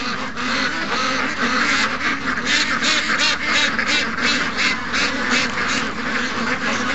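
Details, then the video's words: Dense chorus of quacking from a crowd of young ducks among more than 700 ducks and geese during a morning rush, calls overlapping continuously with no pauses and rapid pulsing throughout. "Young Ducks Not In A Rush... 700+ Ducks & Geese Morning Rush"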